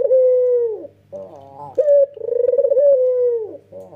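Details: Low sustained coo that falls away at its end, from a red-eyed white Barbary dove, a male calling in nodding style. Softer broken notes follow, then a fresh bright note and a fast quavering roll flowing into another long drawn tone.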